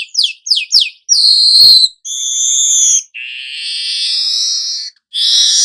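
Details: Weaver song opening with three quick descending whistles, then long steady whistled and buzzy notes held one to two seconds each, separated by short gaps.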